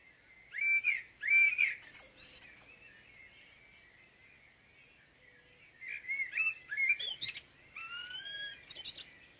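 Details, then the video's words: Common blackbird morning song: two phrases a few seconds apart, mellow fluted notes ending in a high, squeaky twitter, over a thin steady background whine. "Morgensang - Solsort - Blackbird"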